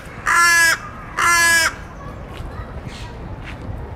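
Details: Crow calling for food such as peanuts, fries and sandwiches: two loud, rasping caws in quick succession, then quieter background sounds and a few faint distant noises.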